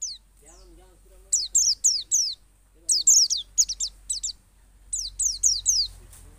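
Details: A white-eye in the forest at Pacitan, Indonesia, sings very high, thin notes slurring quickly downward in rapid bursts of three to five with brief pauses, over a faint low murmur.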